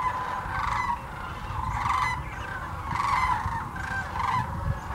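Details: Loud chorus from a large migrating flock of sandhill cranes at Hiwassee Wildlife Refuge in Birchwood, East Tennessee, filmed with a GoPro Hero 9 and Canon Powershot; overlapping rattling, bugling calls swell and fade in waves above low wind rumble.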